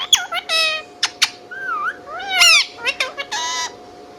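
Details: Indian ringneck parakeet kept as a pet, mixing sharp chirps, swooping whistles and a rising, wavering squawk, followed by clicks and a buzzy harmonic burst, all close and loud in a small room.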